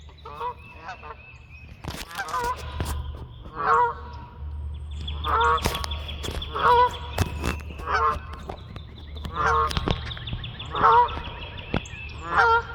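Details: Flying geese honk in a loose, uneven series of nasal, harmonic honks, roughly one per second, with sharp broadband knocks scattered between calls and a steady low rumble underneath.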